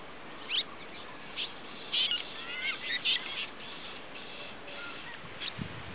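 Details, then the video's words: Red-rumped swallow giving scattered high, thin twittering chirps and short warbled notes in small clusters, with brief gaps between them, against a steady outdoor hiss. "Golondrina dáurica / Red-rumped Swallow (Cecropis daurica)"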